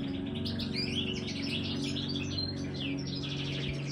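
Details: Continuous bright chattering twitters from a caged Major-type goldfinch, set against a constant low mechanical hum.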